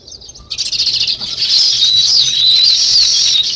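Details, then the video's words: Natural chirping of sparrows, also called weaver birds: after a short quiet start, a dense, continuous chatter of high twittering notes from many birds, steady and loud to the end. "Natural Sparrow Chirping Sounds |Weaver Birds"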